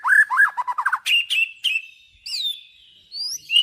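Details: Master song for training trocok garuda: a songbird gives quick looping whistled phrases and rapid chips, then sustained high sweeping whistles with short pauses between.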